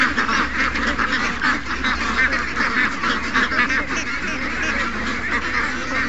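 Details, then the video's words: Hundreds of ducks and geese in a morning rush, young ducks included, calling all at once in a thick, unbroken chorus of quacks and honks over a low steady hum. "Young Ducks Not In A Rush... 700+ Ducks & Geese Morning Rush"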